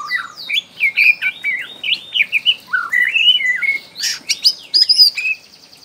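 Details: Young wild Bornean white-rumped shama singing as a lure for other shamas: a dense, fast stream of varied chirps, slurred whistles and sharp high notes, delivered in short loud bursts with barely a pause.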